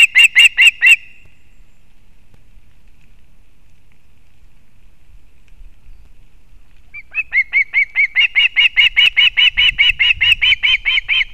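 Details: Osprey at a nest in a bent old pine in Kurzeme, Latvia, 31 August 2024, as the mother brings fish for the chick: a brief burst of shrill whistled chirps, then a long, louder-growing series at two to three notes per second.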